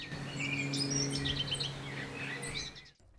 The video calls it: Blackcap song is rich, bubbly and flutey. The phrases are clear and the song seems measured and considered and doesn't seem hurried.